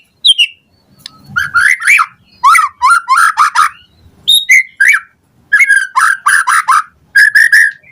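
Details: White-rumped shama singing in the morning, a lure recording meant to make other shamas answer and sing fully: rich varied whistled phrases mostly mid-pitched, rising and falling, in short bursts separated by brief pauses, faint low rumble early on.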